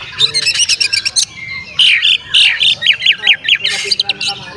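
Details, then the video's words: Oriental magpie-robin singing to provoke other magpie-robins into tail-spreading: dense rapid chatter, a short whistle, then a long run of loud, hoarse, slurred squawking notes repeated several times a second. "SUARA BURUNG KACER GACOR ngeplay santai MANGGIL kacer auto KONSLET buka ekor TERAPI KACER agar EMOSI"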